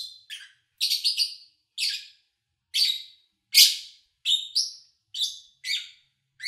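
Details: Lovebird chirping, recorded in August 2019 in the absence of its owner: roughly a dozen short, shrill, squeaky notes spaced unevenly, some doubled, against silence.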